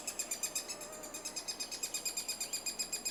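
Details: Eurasian three-toed woodpecker (Picoides tridactylus) in Estonia during nesting season gives a fast, steady run of high, buzzy chirps, about seven a second, with a faint lower hum underneath.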